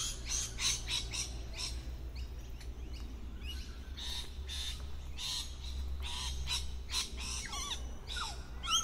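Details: Harsh, grating screeches from lorikeets tucked away in a tree, repeated in quick irregular bursts throughout about nine seconds, occasional wavering squeaky notes near the end, over a low background drone.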